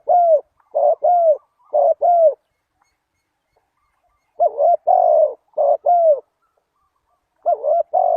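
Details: Spotted dove lure call for catching wild doves: groups of four or five hollow coos, often in pairs, repeated after pauses of about two seconds, with a steady, mellow tone.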